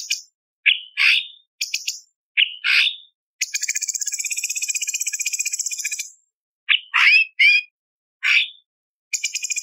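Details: Cucak cungkok singing a tutor song with powerful 'tembakan' phrases: rising whistled notes and short sweeping calls, interrupted by a long, steady, buzzy rattling trill lasting nearly three seconds, then more clipped whistles.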